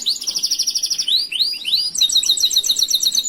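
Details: Master song of a canary for teaching others: a quick pulsed high trill, two swooping rising-falling whistles, then a crisp rapid series of repeated bright notes.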